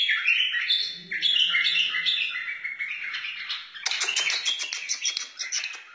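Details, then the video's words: Lively whistled phrases from a wild white-eared bulbul, for teaching chicks and encouraging bulbuls, flow continuously before shifting to sharper, clipped chirps in the last seconds. "تغريد بلبل وحشي بدقة عالية اصلي لتعليم الفراخ و تحفيز البلابل"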